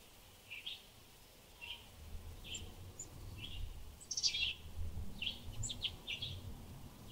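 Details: European goldfinch outdoors in nature: quiet, short high chirps and twittery notes, scattered irregularly with a few brief clustered bursts, over a soft low rumble of background noise.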